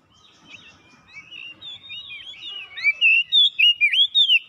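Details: Oriental magpie-robin seeking an opponent, singing in full, vigorous form: a soft twittering build-up grows into a fast string of loud, ringing whistles that dip and rise, roughly three per second.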